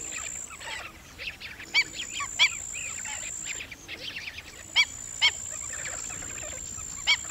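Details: Black-winged stilt calls: scattered sharp, ringing yelps, a few clustered close together, rising above softer background chatter of other birds and a persistent high-pitched whine.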